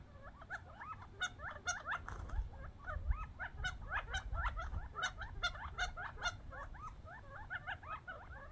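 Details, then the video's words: Young wild quail off the desert feeding on scattered bird seed and fighting over it; a busy chorus of squeaky, bent chirps and twittering notes from several birds, with low rumbling noise underneath. "Quail fighting over seeds funny sounds"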